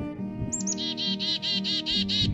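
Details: A Black-capped Chickadee alarm call: two thin high chick-a notes, then about eight buzzy, harsh dee notes in quick succession, over a steady low hum; more dee notes signal a greater perceived threat.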